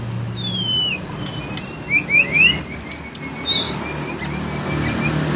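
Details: Sunda blue robin, said to reliably answer in the morning and afternoon: thin high whistles, some rising, some falling, then a quick run of about a dozen sharp chirps and squeaky notes, over a low background rumble.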